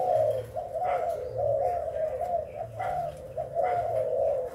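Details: Spotted dove from Thailand, a breeding bird, giving low rounded coos in repeated phrases, each note wavering and pulsing, with short pauses between phrases; a steady low hum runs underneath.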